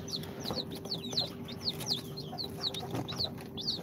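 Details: Newly hatched chicks of Sultan, Golden Sebright, Cochin and booted breeds, two days out of an incubator, peep constantly: high, thin, downward-sliding chirps overlapping from several birds over a steady low hum.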